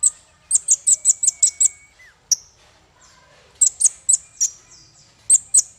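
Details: High, piercing chip notes used as masteran tutor song for small fighter birds: a quick run of seven chips, a pause with one isolated note, then another cluster of bright chips and a final pair.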